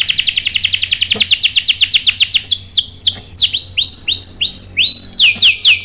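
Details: Provoking song of a canary aimed at male birds: rapid chattering notes slide downward, then slow into separate curved whistles that rise and fall, closing with a quick louder flourish.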